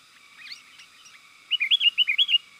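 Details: Sooty-headed bulbul lure sound for attracting wild birds: faint thin chirps at first, then a loud, quick phrase of about seven rolling, whistled notes that rise and dip.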